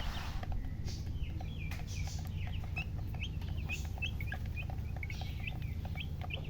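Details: Baby chicks peeping in quick succession, about two calls a second, each a thin, high, falling chirp, with a few louder scattered taps and a steady low background drone.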